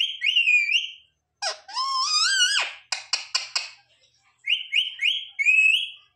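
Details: Pet parrot talking indoors, copying words like "mummy papa": bright whistled phrases with rising pitch, a long wavering syllable, quick clicking notes, then more whistled rising phrases.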